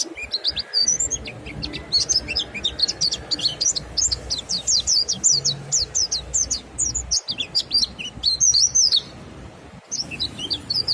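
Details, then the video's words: Long ngalas song of a mountain white-eye, stimulating other white-eyes to sing along; a sustained, rapid, high-pitched twittering chatter with brief breaks, continuing for about eleven seconds. "suara monty NGALAS merangsang monty YANG LAIN IKUT BUNYI"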